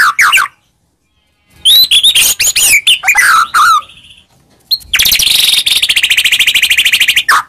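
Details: Shama lure song for provoking a silent white-rumped shama: short chirps, a pause, then tumbling whistles and buzzy notes, ending in a long rapid trill of high repeated notes.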